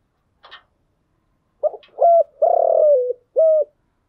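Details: Spotted dove decoy cooing in 'thúc gù' and 'gáy gọi' styles, meant to lure wild doves. After a faint brief rustle, one low mellow phrase plays: two short coos, a long vibrating coo sliding downward, then a final clipped coo.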